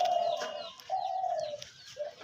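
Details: A captive dove being sold calls while held in the hand: low, hollow, steady coos, two long drawn-out ones, then a short clipped one, over a faint background hiss.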